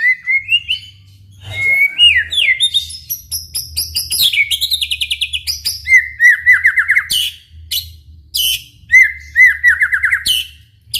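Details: White-rumped shama in energetic song to get other shamas singing: rising whistles, rapid high trills, and two runs of descending slurred notes, rich and varied, with a constant faint low hum.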